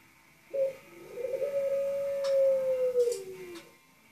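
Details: Dove cooing indoors: a short sharp note, then a sustained, even, drawn-out coo that sags slightly in pitch at the end, with a few faint clicks behind it.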